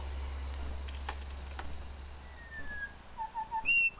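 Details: A male grey shrikethrush calls out toward his mirror reflection: a long, gently falling whistle, then three quick lower notes and a high, bright whistled note, all over a low droning hum.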